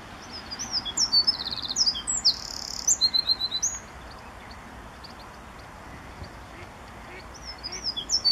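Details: Several Eurasian wrens singing one morning at RSPB Saltholme, 1 April 2014, recorded on a Canon SX50 HS: a loud, very high, rapid trilling burst of about three seconds with quick rattled notes, then silence and another song starting near the end.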